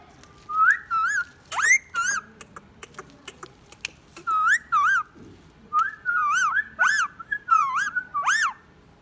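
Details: Pet Indian ringneck parakeet, a green parrot said to speak many words and whistle and laugh, giving a series of clear whistled notes, rising and warbling, in short bursts with brief pauses; quiet room background.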